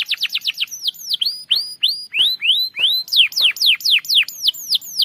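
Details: A canary used to lure other birds sings a long rolling song of rapid falling notes, then slower rising arched whistles, then fast descending sweeps repeated about four per second.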